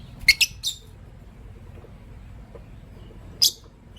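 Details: Lovebirds, a green Personata and a pastel white bird, chirping in the morning: three sharp, high chirps close together near the start, then quiet, then one more bright chirp after about three seconds.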